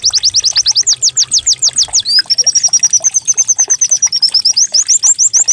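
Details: White-eye (pleci) decoy song used to prompt birds to start singing, described as canary-like: a fast run of loud downslurred whistled notes, then a quicker high, even trill of short chirps, about three notes per second overall.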